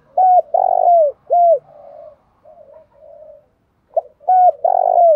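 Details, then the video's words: Spotted dove from the fields calling in the thúc dâu style: three loud falling coos, then a stretch of soft quiet cooing murmurs, then a sharp note opening a new phrase of loud coos. "tieng cu gay tho dong thuc dau thuc dau"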